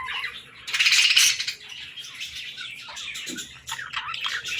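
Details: Baby budgerigars playing and talking, giving busy, scratchy high chirps and squawks that burst loudest around the first second, then a lower, softer chatter of mixed twitters.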